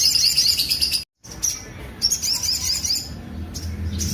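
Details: Sunbird rough-note song: fast, shrill, chattering twitters, interrupted by a brief cut, then resuming in scattered high buzzy phrases.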